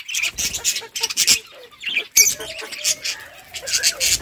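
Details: Budgerigars chattering while feeding: harsh, high squawky chirps in rapid clusters, broken by brief pauses, with a few softer tonal notes underneath.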